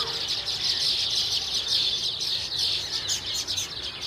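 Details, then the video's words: Baya weavers in full chorus, a loud unbroken wash of high, buzzy chirping and twittering from several birds at once, steady throughout with little pause. "Baya weavers birds sound effect"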